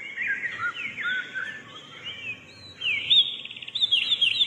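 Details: Wren singing a quick jumble of high thin notes and short slurs, ending in a fast bright trill.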